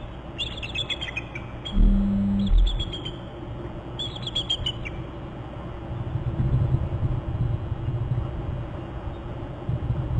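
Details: Bald eagles at a nest territory on Hornby Island in April, both birds trilling; bursts of rapid, high stuttering chitter notes come in three runs, over a low rumble and a loud thump.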